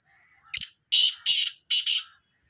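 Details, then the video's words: Spirited call of a black francolin: one brief clipped note, then a pair of loud rasping notes and a second rasping pair, delivered in a crisp phrase of about one and a half seconds with a quiet background. "kale titar ki mast awaz"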